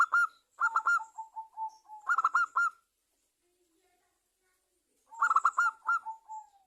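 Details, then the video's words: Local Javanese zebra dove in full song, used as a lure to make other doves sing: bursts of rapid clipped staccato notes, each ending in a long, level, gently falling coo, repeated after a silent pause. "Perkutut lokal gacor juara nya pancingan perkutut agar bunyi"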